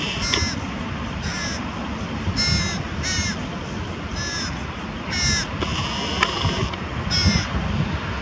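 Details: Carrion crow feeding young with prey, Diemerbos area, 22 July 2020: a run of about eight harsh, harmonic calls spaced roughly a second apart over low background rumble.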